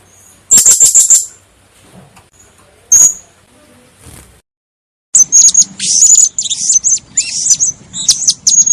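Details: Blue-crowned hanging parrot, recorded as a lure for trapping, gives a stuttered burst of high squeaks and a lone thin note, then breaks into fast, continuous high-pitched twittering chatter.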